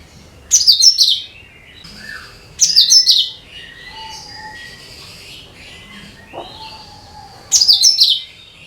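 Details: Cucak kinoi bulbul singing, a recording used to attract all kinds of birds. Three loud bursts of sharp, rapid high notes, separated by quieter sliding whistles and a few soft chirps.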